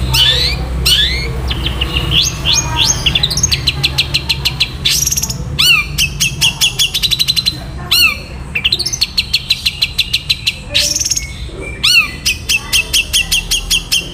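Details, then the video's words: Long-tailed shrike delivering a loud, fast 'nyeklek'-style song for bird tutoring: long rapid series of sharp, evenly spaced chips, mixed with rising whistles, downslurred squawks and buzzy bursts, over faint low hum. "MASTERAN BURUNG CENDET SPEED RAPAT GAYA NYEKLEK"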